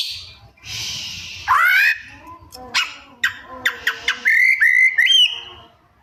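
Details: White-rumped shama singing a mimicry-rich 'isian' song: a hoarse rising screech, a series of sharp clicking chips about five per second, then a looping whistled phrase.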